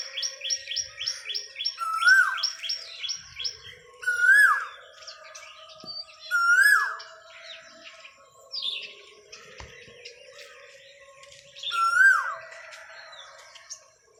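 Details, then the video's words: Asian koel singing: a clear, hooked note that rises then drops, repeated about every two to three seconds, while other small birds add rapid high chirps and trills. "THE SWEET SOUND OF CUCKOO, (KOYEL KI MADHUR AWAAZ)"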